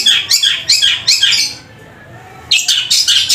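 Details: Long-tailed shrike delivering powerful sparrow-fight style song: several harsh, chirping, scratchy bursts, then about a second of near silence before the rasping chatter resumes.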